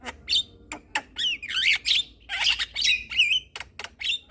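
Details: Javan myna song meant to set listening mynas chattering: dense, buzzy, scratchy phrases with twisting whistled tones, separated by sharp clicks, loud and continuous.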